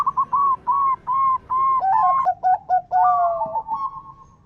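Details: Zebra dove lure song from a local perkutut: evenly spaced flat whistled coos, then a quicker stuttering cluster of dipping notes and a long falling final phrase.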